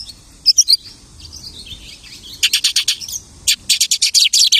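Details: Lark imitating the songs of other birds: high, sharp chirps in a short burst of three, a pause with faint thin notes, then fast runs of clipped, buzzy notes repeated in quick bursts; faint low rumble underneath.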